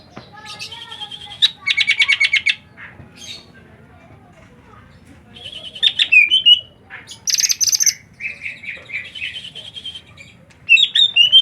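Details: Bird singing in bursts of rapid buzzy trills and sharp chirps, broken by short pauses, with brief whistled slurs between phrases and a low rumbling background.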